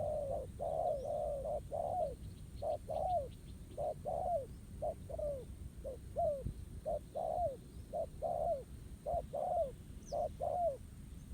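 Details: Spotted dove engaged by a decoy in a ground trap, rural outdoors; long run of cooing, early notes flat and dense, later coos short with a falling hook, about one per second, faint chirps overhead.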